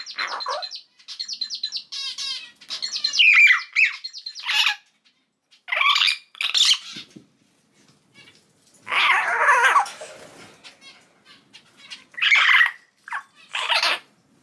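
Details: Three-month-old common hill myna baby, pet bird of unknown sex that cannot yet talk, giving a varied sequence of hoarse squawks, scratchy chatter and coarse cries spaced irregularly with short silences.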